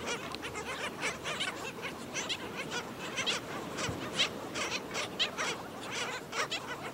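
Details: Black skimmer adult feeding a chick at St. Pete Beach, Florida; rapid, harsh, yapping notes repeated in quick bursts over steady surf-like background noise.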